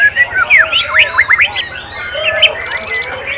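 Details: White-rumped shama at a bird singing contest on 7 December 2017, where it won best of best; loud, clear whistled phrases with rising and falling sweeps come in a quick run, over other birds chattering and a steady low hum.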